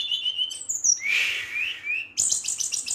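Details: A brown-chested jungle flycatcher sings at night to challenge rival birds: level and falling whistles, a slurred rising whistle in the middle, then a burst of quick high repeated notes.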